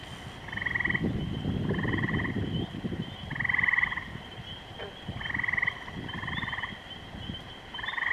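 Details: Kennebec common loons repeating quavering tremolo bursts, each under a second, about six times in eight seconds, over a steady low rumble.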